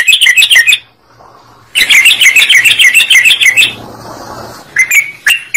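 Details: Yellow-vented bulbul singing vigorously, meant to provoke other birds to join in: a short burst of bright chattering notes, a brief pause, then a two-second rush of quick, high warbles, followed by a few scattered notes.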